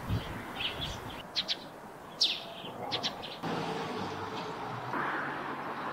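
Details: Eurasian tree sparrow near its roof nest gives short bright chirps, mostly in pairs, including one sharp downslurred note, then falls quiet over a low steady rumble.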